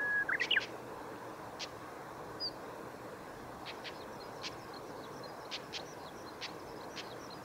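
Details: Female chestnut-cheeked starling at Kitafuji training area, Japan, 20 May 2018: a brief, squeaky whistled call, then a few faint high ticks over a steady low outdoor hum.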